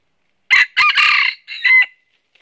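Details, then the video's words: Loud, close crow from a red-eared red junglefowl decoy in a northern Vietnam trap setup, built of a sharp first syllable, a strained harsh middle and a clear drawn-out ending. "Bẫy Gà Rừng Miền Bắc Mồi Tai Đỏ Đụng Bổi Gáy Cà Lắm"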